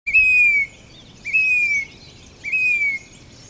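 Grey-bellied cuckoo giving three long, plaintive whistles, each slightly falling at the end, spaced about a second apart; faint background hiss.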